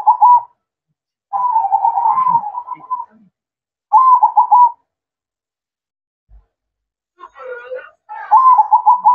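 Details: Zebra dove performing manggung song at night: rolling, bubbly coo phrases repeated every few seconds with silent gaps between them, and a faint extra chirp just before the final phrase.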